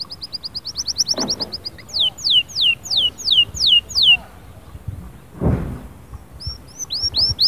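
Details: Canary song meant to motivate a silent canary: a quick high trill, a row of long falling whistles, later upswept notes, with brief rustling thumps between phrases.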